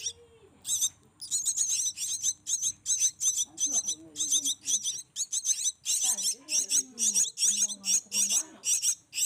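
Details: Black-winged myna nestlings being spoon-fed by hand call in loud, grating high squeals, repeated rapidly, while a low human voice murmurs beneath in the second half.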